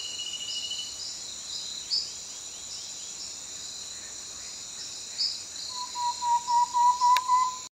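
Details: Thrush-like antpitta (Myrmothera campanisona), song.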